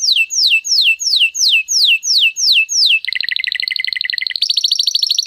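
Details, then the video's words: Crested Timbrado canary song used for training: seven loud descending whistled sweeps repeated about three per second, followed by a rapid bubbling trill and a higher, faster rolling trill. "Timbrado Canary (Huppe)"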